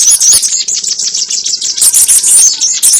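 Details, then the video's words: Sogon recording used as a lure for trapping birds: dense, high chattering and twittering with rapid squeaky notes, loud and nearly continuous, brief gaps between bursts. "SUARA PIKAT BURUNG SOGON ONTONG"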